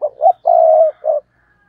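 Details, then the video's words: Spotted dove acting as a lure bird on a tree, cooing to stir up wild doves; a quick note, a long level croon, then a short closing note, close and clean. "Chim Cu Mồi Cây Thúc Gù Và Gáy Gọi/ Cu gáy kích bổi nhanh nổi gù"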